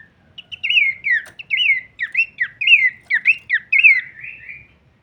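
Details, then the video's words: Horsfield's babbler (pelanduk semak) giving kleperan-style varied song for masteran training: a string of clear downslurred whistled phrases, each dropping sharply, repeated roughly once a second with short gaps. "masteran andalan khas burung pelanduk semak suara full variasi kleperan"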